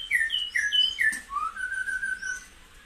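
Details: Singing white-rumped shama, used to stimulate caged birds: a few short, bright, downward-slurred whistles followed by a long, steady, level whistled note, sounding clean and musical over a quiet background.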